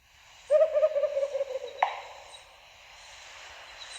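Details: A Marbled Frogmouth gives its gobble bill-clap call, a fast bubbling gobble of low hooting notes for about a second, ended by one sharp bill clap.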